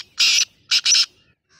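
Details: Black francolin giving a lively, full-spirited call: a long harsh, raspy burst, a short pause, then a brief grating note run straight into a longer one, all loud and close against a quiet background.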